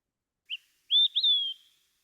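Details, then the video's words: An Olive-sided Flycatcher gives its loud, far-carrying three-part whistled song: a short clipped note, then two slurred whistles, the last held and dropping, often rendered as "quick, three beers." "a lot of people describe it as saying quick three beers."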